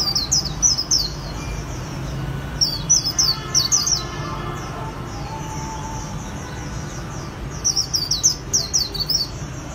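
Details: High, slurred twitters of a white-eye singing "líu" style for Vietnamese artisans, delivered in three rapid clusters separated by quieter fragments, over continuous low background noise.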